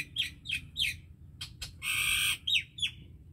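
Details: Common myna in a Pakistani Punjab village, singing a varied run of chirps, squawky bursts and one long harsh rasping note, with short pauses between phrases.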